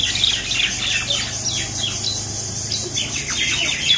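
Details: Common mynas fighting in Talepur, Kalatia, Keraniganj, Dhaka, Bangladesh; dense harsh, squawking calls overlap continuously, with scratchy chirps throughout.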